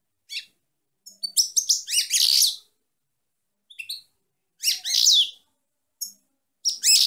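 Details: Female goldfinch delivering repeated bursts of liquid, high-pitched twittering mixed with harsh buzzy notes, phrases separated by short silences, nothing else audible.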